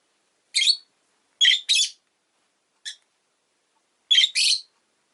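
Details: Rosy-faced lovebird, a caged pet, repeating harsh high chirps: one burst, a quick pair, a short thin note, then another double chirp, evenly loud against a silent background.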